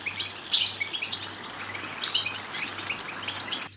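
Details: Goldfinch twittering used to stimulate singing. Three louder clusters of sharp, tinkling chirps stand out against a steady wash of softer twitters, with a low on-off hum, before the sound cuts off abruptly at the end.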